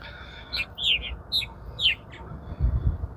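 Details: Purple martins arriving at a backyard gourd and box colony around 18 April give rich, gurgling song chirps and croaks in short bursts about once a second, over low rumbling background noise.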